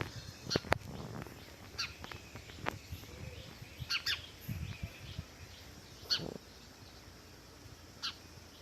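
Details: House sparrow chirping: short, sharp broadband chirps given singly or in quick pairs at irregular intervals, a few seconds apart, with low thumping and handling noise beneath.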